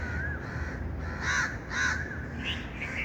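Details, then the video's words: Outdoor recording of a bird: a faint call, then two loud, rough caws about half a second apart, and a softer higher note at the end, over a low hum. "birds chirping sound"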